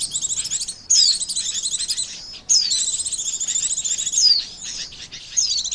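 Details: Oriental white-eye trapping lure call: loud bursts of fast high chirps, each led by a sharp downward-sliding whistle, bursts repeated every one to two seconds.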